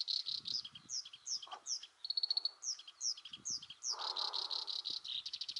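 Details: Black-browed reed warbler singing and catching insects at Wakka Primeval Flower Garden, Hokkaido, June 2020: a fast, high, scratchy medley of clicks, whistles and quick repeated notes, with a brief rustling burst midway.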